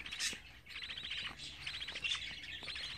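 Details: A brief, busy patch of chatter from 24-day-old budgerigar chicks: rapid buzzy trills and clipped chirps following one another closely.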